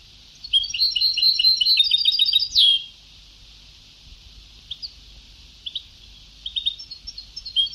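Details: Old Ceuta-style (sabtawi) song tape of a European goldfinch: a fast, dense run of tinkling, liquid twitters ending in a buzzy slur, followed by sparse single chirps over a soft background hiss.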